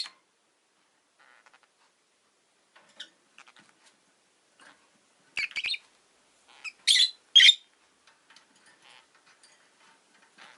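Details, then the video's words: Pet rosy-faced lovebirds, a pair new to the home, give faint scattered twitters, then a run of four louder, strident chirps in quick succession, then fade back to soft chatter. "Lovebird Chirping Sounds"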